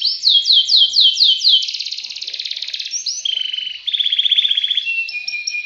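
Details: Canary in long ngacor song with ngerek rolling: a series of swooping downslurred whistles leads into dense rapid trills, then lower buzzy rolls and short high notes, continuous and clean.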